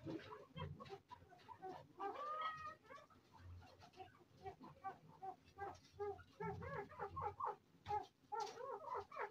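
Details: Arabian partridges (maskati chakor) chatter in overlapping clucking calls, short nasal notes that come in uneven bursts, with a low rumble underneath.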